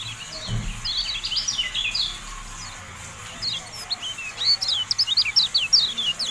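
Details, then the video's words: Kecial kuning or Javan white-eye song, masteran recording: scattered high chirps at first, then after a soft low thud a quicker, louder run of sharp rising and falling twitters over the last few seconds. "MASTERAN TERBARU KECIAL KUNING, FULL AUDIO"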